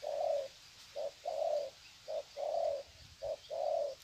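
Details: Spotted dove decoys greeting each other with lengthy cooing, Sê San, 21 February 2020; mellow low coos in a regular rhythm, a clipped note then a drawn-out one, repeated three times.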